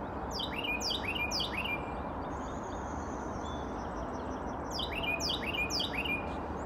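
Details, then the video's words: A chickadee, thought to be giving a "cheeseburger" song, gives two bursts of quick, high, down-slurred notes about two per second, with a thin whine between them over a low rumble. "Cheeseburger cheeseburger cheeseburger, the other song of the chickadee"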